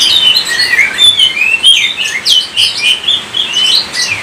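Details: Oriental magpie-robin from Indonesia in full continuous song: quick slurred whistles, twisting upward and downward sweeps and scratchy chips run together without a break, bright and high-pitched throughout.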